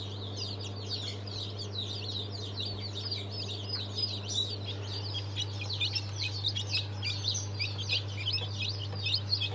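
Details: Chicks just hatched on 22.02.23, of the Sultan, Fizan and İspenç breeds, fill the air with continuous overlapping high-pitched peeps, loud and busy throughout, with a steady machine hum underneath.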